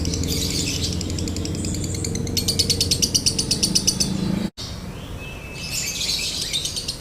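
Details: Lovebird 'konslet' song with a dry tone, meant to spur other lovebirds to sing: harsh high chatter, then a burst of fast regular pulses, a brief cut, and a final patch of noisy chattering with a thin whistle.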